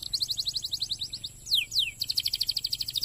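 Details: Canary song for stimulating other canaries: a rapid repeated chipping trill, two loud falling whistled swoops, then another fast high trill, somewhat quieter with a faint background hiss.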